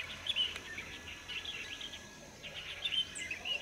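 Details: Many light-vented bulbuls gathered at a waterway to drink and bathe, March 2024; lively chattering of high chirps and squeaks from several birds at once, dense and uneven throughout, over faint background noise.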